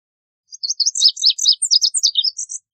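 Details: High, varied Lazuli bunting song: separate sweet notes leaping up and down in pitch, about a dozen in two seconds, ending on a buzzy higher note.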